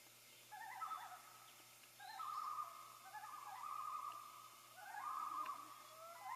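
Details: Common loons dated 6 5 13, calling to announce the hatching of the first loon chick on hatch day: wavering, tremolo-like phrases near one pitch, repeated about every two and a half seconds with short pauses, over a low steady hum.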